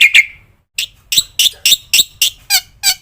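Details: Black-winged myna training song with varied fills: two short ringing notes, a pause, then a slower series of harsh, scratchy chattering notes spaced about a third of a second apart.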